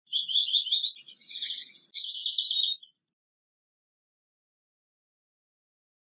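A Gouldian finch gives a fast, thin, high-pitched twittering song lasting about three seconds.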